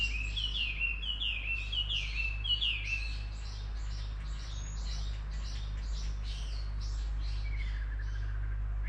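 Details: Bird calling with a quick series of sharp, downslurred chirps, about two per second, followed by a run of higher, buzzy, rattling notes and a final falling whistle, over a steady low hum.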